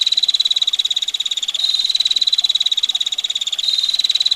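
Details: Female bar-winged prinia giving a long, dense 'ngetir' trill: a sharp, harsh, rapid ticking at about fourteen notes per second, unbroken, with a slight pitch step every two seconds, over a soft hiss of water.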